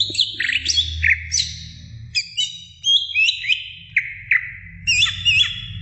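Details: Greater green leafbird used as a training recording for other birds: bright varied whistled phrases, slurred up and down with quick chirps and trills, delivered in short bursts with brief pauses.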